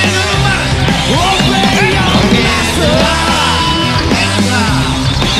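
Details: Loud rock music with heavy drums, distorted guitars and shouted singing fills the whole stretch, with no animal voice standing out.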